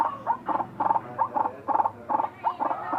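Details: Strange-sounding call of a white-breasted waterhen: steady run of rough, nasal croaks roughly every third of a second, some notes doubled, over a faint low hum.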